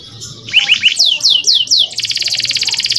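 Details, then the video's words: Male canary tutor song for young birds: a few short rising chips, a run of loud downward-sweeping whistles, then a fast even buzzy trill; faint low background noise throughout. "MASTERAN BURUNG KENARI PAUD AGAR CEPAT BUNYI DAN GACOR - kenari jantan gacor jernih"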